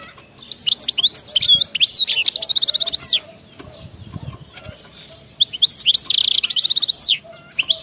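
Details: Wild-type (khalawi) European goldfinch singing crazy-fast btebta: tumbling twitters leading into a dense buzzy trill, repeated in two long phrases with a soft gap between them.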